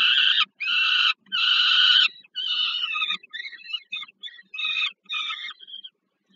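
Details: At a peregrine falcon nest in Warszawa-Żerań, Poland, 15 August 2022, during food delivery to a young falcon: three long loud harsh wailing screams, then shorter scratchy chattering calls trailing off.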